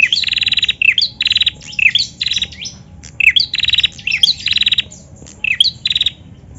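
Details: Female bar-winged prinia calling, played to stimulate other prinias to sing: bursts of rapid buzzy rattling notes, each opened by a sharp high chirp, repeated in clusters about every half second to second, with faint low background hum.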